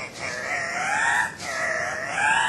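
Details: Two male Andean cocks-of-the-rock, subspecies saturata, displaying at a lek at Manu National Park, Peru, 1 August 2005: two long, loud, nasal squawks with rich harmonics, the second dipping then rising.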